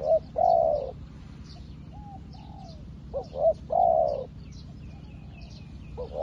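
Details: A fresh decoy spotted dove, used to call wild doves, repeats its phrase of quick clipped notes and a long rolling coo, with softer single coos between phrases and high thin chirps of other small birds.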